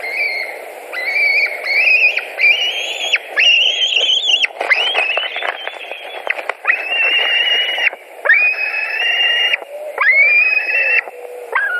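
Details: White-tailed eagles at a nest in Latvia, 16 July 2020, mid-morning, as one adult arrives carrying fish: a rapid series of long, drawn-out, whistled calls with a buzzy edge, each rising slightly then held, separated by short gaps.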